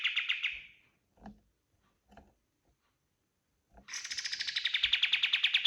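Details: Kapas tembak white-eye in full song, recorded as masteran for all kinds of birds: a short buzzy trill fades, a few faint clicks follow, then a long, fast, ringing trill of sharp repeated notes fills the last two seconds.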